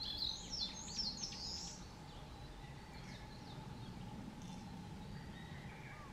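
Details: A Narcissus Flycatcher, a summer visitor, on Mount Rokko on 21 May 2020 opens with a quick burst of clear, high whistled phrases, then softer notes over a steady low hum and a background rumble.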